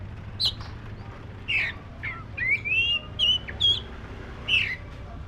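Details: Black-breasted Oriental magpie-robin singing: short, spaced whistled notes and bright slurred phrases around a mid-high pitch, with a steady low hum in the background.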